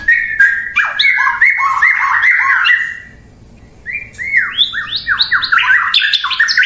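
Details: White-rumped shama pouring out fast, downslurred whistled notes in dense bursts, a brief pause, then quick rising and falling phrases.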